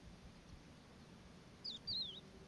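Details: Pacific golden plover in the Jezreel Valley on 17 October 2016, giving two quick, clear whistled notes, the second a slurred, wavering phrase, over a soft low background hum.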